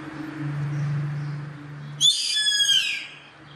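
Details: Gavião carrapateiro, the yellow-headed caracara, giving one strident, grating screech near one second long that descends slightly, preceded by a steady low hum that stops just as the bird calls.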